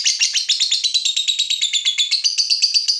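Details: Agitated fighter lovebird facing a rival: a fast, loud, buzzy chatter of rapid high notes, about four per second, without pause.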